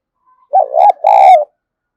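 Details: Spotted dove used as a decoy to lure wild doves: a loud, low coo in two hoarse, throaty parts, a wavering first note followed after a short break by a longer steady one, in otherwise silent surroundings.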